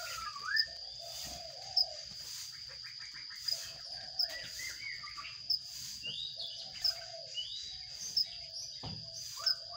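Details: Baby sparrows being fed in a nest box, chirping in rapid overlapping bursts with quick rising tweets, while a steady high whine and regular clicks roughly every second and a half continue underneath.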